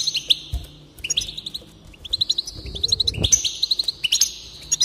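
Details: Goldfinch song to encourage singing: crisp rapid chirps strung into trills, then sustained buzzy, tinkling phrases, with one low knock partway through.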